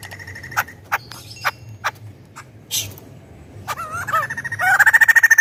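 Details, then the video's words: Caged white-crested laughingthrush: scattered sharp clicks and a few bent, wavering notes, then a loud fast run of repeated ringing notes building at the end. "Suara Lantang Burung Poksay Jambul Putih"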